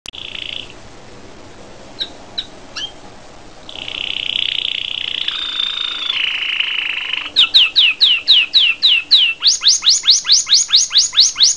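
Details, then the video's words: A canary sings a varied, high song: a few sharp chips, then a steady buzzy trill, ending in a fast run of bright, falling whistled notes, several per second. "the best sound of Canary اجمل اغاني الكناري"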